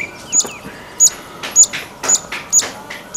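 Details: Streaked laughingthrush, a Himalayan bird, calling: short sharp high chips repeated roughly every half second, with faint rising whistles early on.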